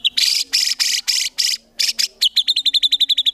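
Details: Murai batu (white-rumped shama) singing in a training recording rich with tembakan and fill-ins: harsh buzzy rasping bursts, then a quick even string of sharp high whistled notes, over a faint steady low hum.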